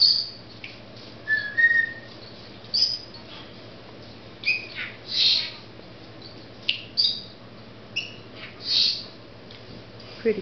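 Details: Pet female Senegal parrot indoors, showing off her newest learned word; sharp high squawks and chirps come in short bursts every second or two, with a brief lower whistle early on and quiet room hum behind.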